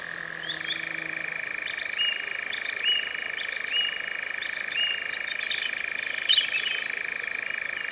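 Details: European Nightjar, the first recorded in 2026, in Cefn Ddu forestry, North Wales, UK, captured with a Zoom F3 and Micbooster Clippies drop rig: an unbroken, rapidly pulsing churr holding two alternating pitch levels, with faint higher bird chirps over it.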